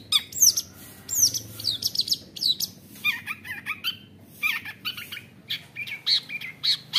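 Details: Long-tailed shrike raised from young from the forest, a varied rambling song of high slurred whistles, buzzy rasps and quick chips, delivered to stir rival shrikes.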